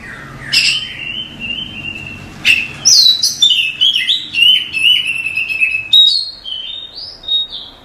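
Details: Masteran song from an Oriental magpie-robin: a long level whistle, then a lively series of rising and falling whistled phrases and chips, ending on a soft upward slur.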